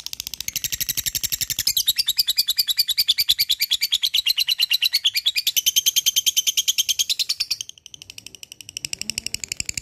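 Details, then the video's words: Extended lovebird ngekek, said to readily make rivals answer. Harsh, high notes stream out in a fast, even rattle for nearly eight seconds, then cut off, leaving faint background noise. "LOVEBIRD NGEKEK PANJANG GACOR SANGAT MUDAH BKIN LWN BUNYI"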